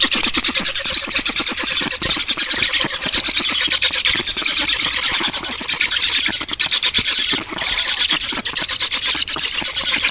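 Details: Black storks at a nest in Estonia during feeding on 18 June 2019: dense, rapid high squealing calls repeated without pause, about once a second, with harsh broadband clicks and chatter underneath throughout.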